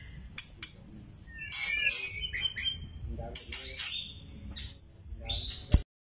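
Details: Thai-type white-rumped shama giving scattered whistles, sharp clicks and a few rich warbled phrases, with gaps of near quiet and a low background rumble throughout.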